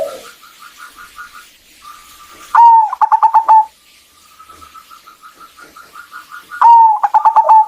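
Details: Zebra dove female calling to stimulate a male to sing: two bursts of sharp rising note then a fast stuttered series of clipped coos, separated by soft repeated pulsing notes and short silences.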